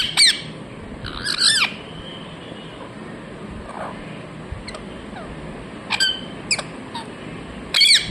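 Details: Scattered parrot chirps: a loud harsh pair at the start, a long gap with faint sounds, then several short sharp chirps and a final loud call.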